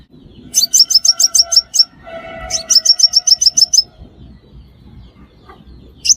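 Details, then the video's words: Five-coloured sunbird call used as a bait sound in trapping. Two long, rapid runs of piercing high chips are followed by a quiet stretch and a single final chip, with lower hums faintly underneath. "Tiếng chim hút mật 5 màu"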